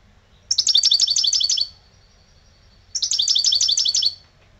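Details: An aged pet goldfinch sings a lebrijano phrase twice: each burst is a quick run of about seven sharp, ringing notes sliding slightly downward, roughly a second long, separated by a short pause.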